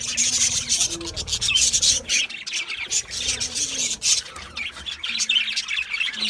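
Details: Budgies at their seed mix make loud, busy, harsh chattering with rapid chirps that rise and fall in waves. A few short low tones sound beneath.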